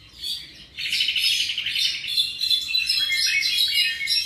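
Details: Seven-month-old tropical mockingbird: after a brief soft note, a fast run of repeated trilled notes, then shifting chirps and warbled phrases, bright and continuous to the end.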